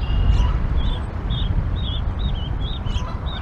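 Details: Canada goose family at a nest in Decorah, Iowa, on a rainy April 28, 2022 morning, parents calling goslings to leave the nest: a steady run of high, wavering peeps over a strong low wind-like rumble.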